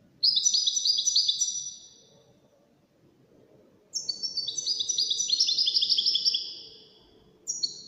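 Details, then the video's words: European goldfinch from a five-bird song contest: dense, liquid twittering phrase, about two seconds of silence, then a longer rush of bright chirps and trills, starting again at the end. "مسابقة افضل تغاريد 5 حساسين ويدانية"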